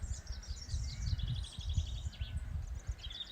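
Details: A song thrush sings across the river on a Scottish riverside trail, repeating each varied phrase two or three times before moving on: bright, high, clear repeated short notes over steady low rumbling and wind noise.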